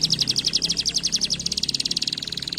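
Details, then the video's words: Canary singing a fast, even trill of high chirped notes repeated rapidly throughout, sliding slightly lower toward the end, with a faint low hum behind. "estimular muito rapidamente o som do chilrear dos canários preguiçosos"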